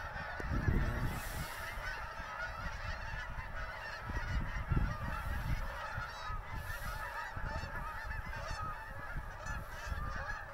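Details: A flock of geese honking at sunset at Blackwater, 2020; steady chorus of overlapping nasal honks throughout, with bursts of low-frequency rumble from wind or movement.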